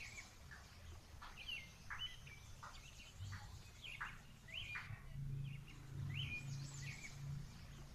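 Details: House sparrows feeding on grass in a home patio in the afternoon chirp in short, bright notes, about one or two a second from several birds, over a steady low rumble of outdoor noise.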